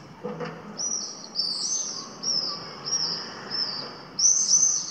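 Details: Pallid swifts at Cullera, Valencia coast, a breeding area, give high, buzzy screams, about six drawn-out trills in five seconds, separated by short pauses over faint background noise.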